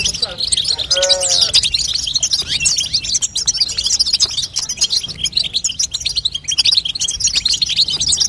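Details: European goldfinch female twittering to stimulate a young bird's singing, a long run of high, jingling chirps; near the start a short lower, wavering whistled note with harmonics cuts in briefly, then the fast twitter continues.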